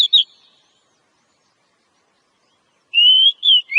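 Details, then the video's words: Wild Oriental magpie-robin, known locally as kacer, a territorial fighter bird; two short bursts of song: a quick high warbled note, a long pause, then clear whistled rising and falling phrases. "Pancingan suara burung kacer alam"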